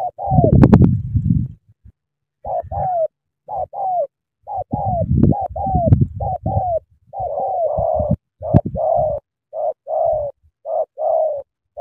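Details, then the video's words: Spotted dove from Cà Mau, Vietnam, cooing eagerly in the sắm thổ style: a run of short, mid-pitched coo notes, each dipping at the end, in uneven bursts with deep throaty booming beneath the early phrases. "Sắm thổ quá hăng hàng gù tuyệt vời"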